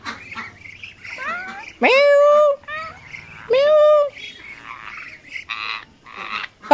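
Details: Talking rose-ringed parakeet, a pet bird in Bangladesh, gives two loud drawn-out nasal calls, each rising sharply then held level for almost a second, with people talking softly in between.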